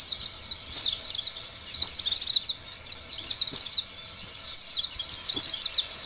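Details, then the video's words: Lure song of an Oriental white-eye, played so other white-eyes answer and sing; high, sweet, hurried warbling in clusters of rapid chirps, with short breaks between bursts. "Biasanya pleci lain akan bunyi dan gacor bila mendengar pancingan pleci seperti ini."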